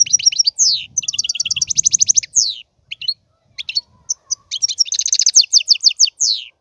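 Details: Almost continuous goldfinch song of rapid twitters and buzzy trills, briefly broken near the middle, with a faint low rumbling sound underneath.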